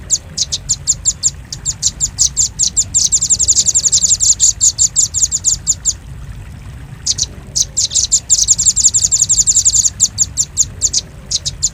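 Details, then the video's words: Velvet-fronted nuthatch, used as a lure for birds. Repeated bouts of shrill, rapid chips build into dense chattering runs, with brief pauses between bouts. "Suara pikat burung rambatan paruh merah paling ampuh"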